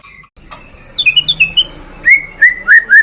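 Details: Long-tailed, black-tailed White-rumped shama of Medan type, singing as a lure to make other birds sing: a sharp snap, then clear falling whistles and loud slurred notes repeated about three times a second.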